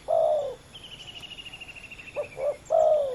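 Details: Rival male spotted doves competing on the ground. A long, loud, low croon fades, and a rapid high insect trill fills the gap. Then comes a two-note coo ending in another drawn-out falling croon.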